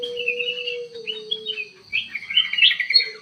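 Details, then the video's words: Ruby-throated bulbul, kutilang emas, singing actively inside an aviary: fluting chirps and a rapid warbled trill over a steady low droning tone at the start. "KUTILANG EMAS GACOR DIDALAM AVIARY"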